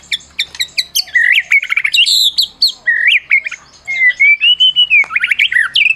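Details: Prize-winning Medan white-rumped shama, a caged bird whose song is used to stir silent shamas into singing: fast high ticking notes, then loud slurred whistles, a long steady clear whistle and quick rising chirps.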